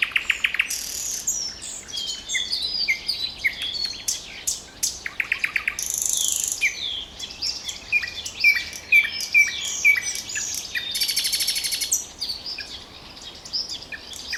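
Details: Common nightingale singing: varied loud phrases of rapid buzzy rattles, a run of repeated sharp whistled notes near the middle, and fast pulsed trills, with other birds faintly chirping in the background.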